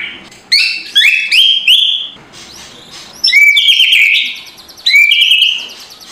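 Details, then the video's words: White-rumped shama singing coarse kretekan, meant to stir a lazy bird in the morning: clusters of sharp clicking notes each followed by a sustained, slightly rising whistle, repeated in three bursts. "MURAI BATU LANGSUNG NGEGASS KRETEKAN K4SAR SUARA RAME || Memancing emosi murai batu malas bunyi"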